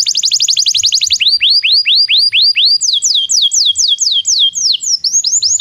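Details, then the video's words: Belgian canary training song for canaries that fail to sing: a fast high trill, then slower looping falling whistles, then a run of sharper descending notes, repeated about four per second. "Canto de canário belga - treinamento para canários não cantores"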